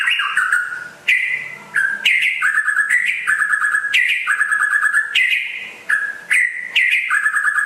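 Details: West Aceh white-rumped shama, called rare and strongly vocal, sings a steady stream of clear whistled phrases, each dropping in steps then jumping back up, with crisp high accents.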